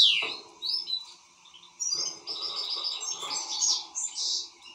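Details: European goldfinch, excited, opening with a sweeping downslurred call, then after a pause a jangling stream of high tinkling notes, trills and buzzy phrases, with faint low rumbling underneath.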